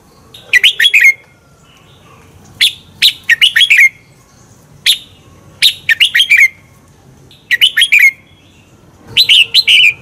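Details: Red-whiskered bulbul song for training birds to sing in contests: six energetic bursts of several sharp, slurred whistles, each sliding downward, repeated about every one and a half seconds against a quiet background.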